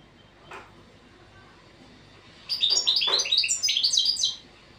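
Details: European goldfinch training song: after a faint note and near silence, a sudden loud, rapid, jangling twitter of high, tumbling notes runs for about two seconds.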